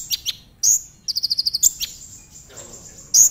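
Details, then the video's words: High, sharp whistles from a Brown-throated sunbird, a tembakan-style phrase used to provoke other sunbirds to sing, with a fast run of about seven ringing notes in the middle. "Pancingan konin agar cepat nembak"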